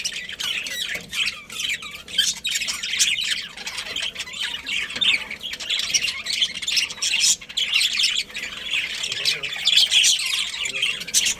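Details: Budgies kept together as a family colony, keeping up long, dense high-pitched chirping and squawky chatter with sharp clicks scattered throughout.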